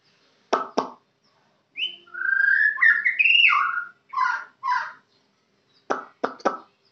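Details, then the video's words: Kenyir white-rumped shama song: sharp clicking notes open and close a string of sweet, sliding whistles and short warbled notes, delivered in a varied phrase over a quiet low hum. "Murai Batu Kenyir"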